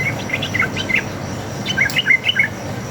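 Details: Yellow-vented bulbul, a wild forest bird, in a vigorous fighting rapid 'ropel' song used as a lure to make other bulbuls answer: short bubbly whistled notes in quick clusters over a steady low hum and insect hiss.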